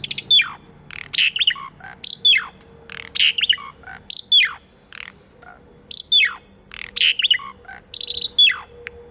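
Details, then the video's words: Asian pied starling song for rousing birds that have stopped singing: one phrase repeated roughly every 1.5 seconds, a high whistle sliding steeply down followed by scratchy chatter, with a faint steady low tone behind. "PANCINGAN SUARA BURUNG JALAK SUREN ( TERAPI JALAK MACET BUNYI ATAUPUN JALAK BAHAN )"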